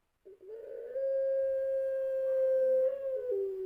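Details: Champion-line puter pelung dove giving its long coo as a lure sound: a soft rising start, then one long, flat, pure tone held nearly three seconds before dropping slightly at the end. Quiet room.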